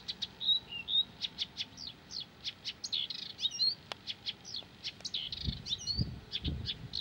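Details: Persistent song of a Blyth's reed warbler, rapid and varied: dry clicking notes about twice a second interwoven with buzzy chatter and short whistled slurs, and low thumps near the end.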